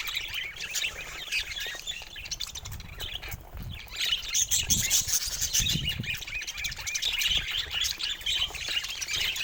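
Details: Budgerigar chatter. Busy, overlapping high-pitched chirps and squawky warbles pour out without a break, with short louder bursts midway and a faint low rumble underneath.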